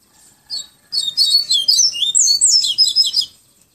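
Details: Yellow-bellied seedeater from Pero Vaz, Salvador, Bahia, delivering a 'tui tui viviti flautado' song: an opening high note, then a fast, flute-like warble of rising and falling whistles lasting over two seconds.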